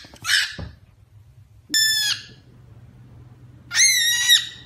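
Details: Male pet cockatiel fighting a pillow it dislikes, expressing resentment: three grating, rasping squawks about a second apart, each sharp and loud, in a quiet room.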